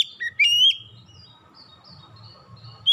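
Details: Oriental magpie-robin lure song, played to draw other birds into singing: a brief burst of two or three bright whistled notes with a downward slur, then a faint, quiet stretch, ending on one loud whistle.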